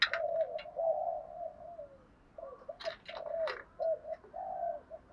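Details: Captive spotted dove cooing a practised pattern intended to set off other caged birds calling. Soft, level coos in short runs, interrupted by brisk clicking and rustling sounds over a hissy background.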